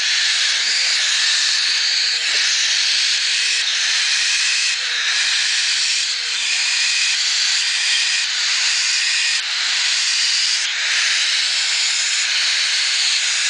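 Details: Three-week-old cockatiel chicks in the nest after cleaning give a steady, raspy hissing wheeze that swells in pulses every second or so.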